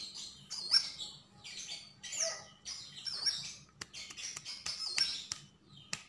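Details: Javan grey-throated white-eye song: jumbled high twittering phrases with piercing whistled accents and a few sharp clicks, delivered in quick bursts roughly every second over a faint hum.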